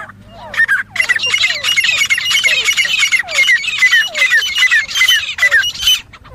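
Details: Fighting call of grey francolin, a bird said to be very good for hunting: a dense run of loud, harsh, repeated squawking notes with rising and falling sweeps, over a second per phrase, with a low hum early on.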